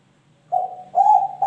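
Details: Young Kelantan-type spotted dove, three months old, giving a short low coo then a longer steady one, with another note starting at the end.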